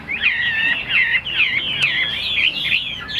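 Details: A hand-tamed hwamei in a cage delivers rapid rolling whistles, each note swooping down then up, strung together at about two per second in a fluid chattering stream.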